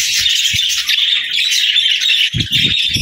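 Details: Budgies singing together, a buzzing, twittering chatter sustained throughout, punctuated by a few low thumps and a cluster of rattling knocks near the close.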